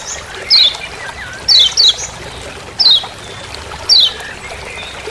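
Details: A lemon-bellied white-eye in forest on Lombok gives short, high, descending chipping notes, single or paired, about one per second, over a soft background hiss.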